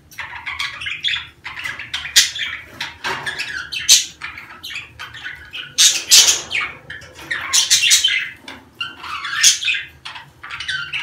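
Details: Breeding-time budgerigar calls intended to stimulate egg laying: a long, dense flow of chirps, trills and harsh squawks rising and falling in intensity, low hum underneath.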